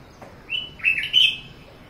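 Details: Red-whiskered bulbul singing on a balcony: a brief run of three bright, slurred whistled notes, rising and falling around a liquid middle phrase, over a quiet background.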